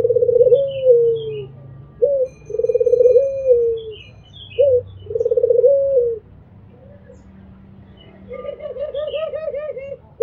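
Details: Albino Barbary dove repeating its mbekur coo three times: each is a short clipped note and then a long throbbing trill that drops at the end. Near the finish come quick bouncing coos with faint high chirps from other birds.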